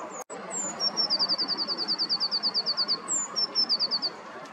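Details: Eurasian blue tit by a river in early morning, 6 April 2023: one or two high thin descending notes, then a fast even trill of about twenty short high notes, ending with a brief repeat; steady background rush.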